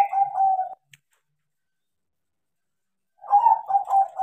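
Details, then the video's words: Trained, tame crossbred zebra dove: a soft trilled coo ends, then after about two and a half seconds of silence a new phrase of stuttering, bubbling notes leads into a steady drawn-out coo. "PERKUTUT CROSSING GACOR KARENA DIAJARI"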